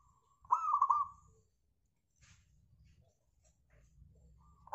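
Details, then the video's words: One crisp phrase from a local zebra dove, played to make other birds sing: a quick run of bubbling, trilled coos lasting under a second, then near silence with faint low noise and the next phrase just beginning. "PANCINGAN AMPUH PERKUTUT LOKAL SUPER GACOR"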